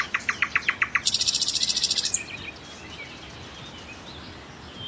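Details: Common nightingale song: a rhythmic series of loud clipped notes about five a second, merging into a fast buzzy high rattle that stops abruptly, followed by quiet background.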